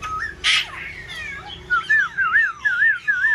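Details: A kept black-throated laughingthrush, fanning wings and tail, sings a run of wavering whistled notes that loop up and down, repeated about twice a second, after a short opening whistle and a clatter.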